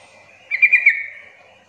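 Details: Lure call of a sooty-headed bulbul, meant to provoke other bulbuls into calling in reply: a single brisk phrase of three bright bubbling notes, then a thin fading tail, over quiet background.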